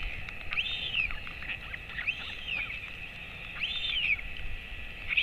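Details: Royal albatross at a colony nest webcam, father feeding a 217-day-old chick, 11:35 am on 28 August 2024. Arched, whistled calls rising and falling, repeated about every one and a half seconds over steady background hiss.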